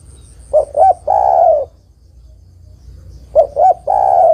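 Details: Zebra dove female calling to a male, a call used to lure birds: twice a pair of quick hoots runs into a drawn-out, gently falling coo, with silence between phrases.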